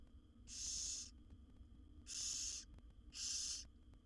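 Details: Begging from seven wild barn owl nestlings in a nest box while the mother brings food: three rasping, breathy hisses, the first two well spaced, the last following quickly, over a quiet background hum.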